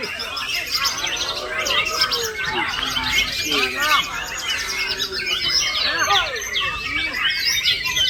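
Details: Male white-rumped shama bursting into lorikeet-style fill, a stream of fast high twittering and sharp whistled slurs, loud and continuous, with other birds chattering and voices behind.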